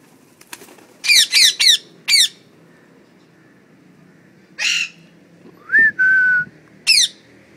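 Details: House parrots give a quick series of four sharp descending squawks, a noisy harsh call, then a short rising whistle flowing into a level tone and a final squawk.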